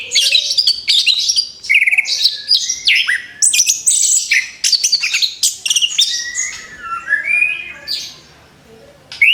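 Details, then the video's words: Orange-headed thrush after moulting, back to singing: long continuous stream of varied whistles, chirps and rising slurs, trailing off into softer notes near the end. "TERAPI ANIS KEMBANG BARU LEPAS BULU, SIAP BUKA PARUH LAGI"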